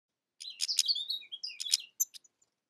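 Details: European goldfinch (Carduelis carduelis) singing a fast, liquid twitter of tinkling high notes and short slurred whistles, some dipping lower, packed into about two seconds before trailing off into a few scattered chirps.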